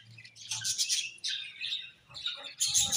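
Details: Three quick bursts of shrill, scratchy budgie chirping, each a tumbling run of high notes, with a faint low hum underneath at the start.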